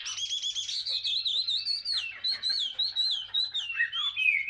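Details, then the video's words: Chinese hwamei, caught wild as an adult and caged for two years, pours out a loud clear whistled song, a wavering high line of rising and falling slurs with quick trills at the start. "HM 221 ngũ trường lông xanh già rừng 2 năm lồng"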